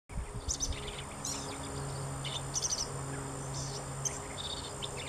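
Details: On 14 April 2019 on the Goodwater Trail, Lake Georgetown, Williamson County, Texas, a Black-capped Vireo sings quick, high, scratchy phrases of varied notes, several a second, over steady insect drone and low hum.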